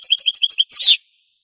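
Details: Short burst of European goldfinch song, Granada style, from a 1980s–90s Spanish cassette: five quick high twittering double notes followed by one long, loud, falling buzzy note.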